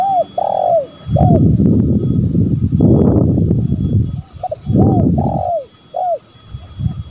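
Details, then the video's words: Male and female spotted doves calling, used as a lure recording: short arched cooing notes in quick phrases at the start and again near the end, separated by loud low rumbling noise that masks the middle. "Pancingan tekukur gacor"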